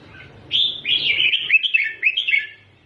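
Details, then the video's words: One long, rolling warbled phrase from a red-whiskered bulbul singing the doubled style used to teach chicks, its bright notes tumbling up and down without a break. "เสียงนกกรงหัวจุก สอนลูกนกแบบเบิ้ลๆๆ"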